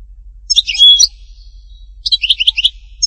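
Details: Song of a European goldfinch in the htatba style from Tipaza: two bursts of sharp, liquid twitters a second apart, the first carrying a short pure whistle, the second a rapid run of chirps.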